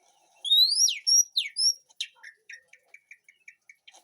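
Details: White-rumped shama in a backyard garden aviary singing loud, clear whistled phrases that sweep up and down, then a run of soft, evenly spaced high chips and short notes.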